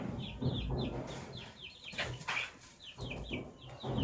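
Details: Morning chirping of lovebirds in sky blue opaline and cobalt colours: bursts of short, falling squeaky notes in quick runs, separated by brief gaps, over a low background rumble.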